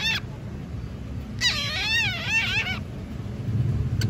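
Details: A bored pet cockatiel chattering in its talking voice. A brief note opens, then after a pause a wavering, warbled phrase runs for over a second, rising and falling several times, over constant low household rumble.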